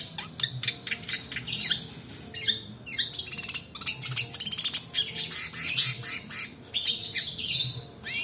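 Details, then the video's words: Extended 'roll' song of a long-tailed shrike used as a training lure: dense, scratchy, chattering bursts of high notes, almost continuous, with short gaps and a low hum underneath. "PANCINGAN PENTET MALAS BUNYI ROLL DURASI COCOK UNTUK MASTERAN"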